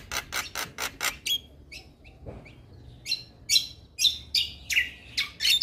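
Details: Male white-eyed Javan myna song used as a lure for silent mynas: rapid series of harsh rasping notes, short pause with soft chirps, then loud scratchy whistled phrases rising and falling.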